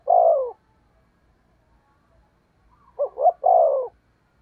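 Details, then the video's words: Spotted dove kept as a decoy bird to lure wild doves, giving a deep, mellow coo. A single drawn-out falling note comes first, then after a pause a phrase of two short notes followed by a longer coo. "Chim Cu Mồi/ cu gáy thúc gù cực đỉnh kích bổi dợt mồi hiệu quả"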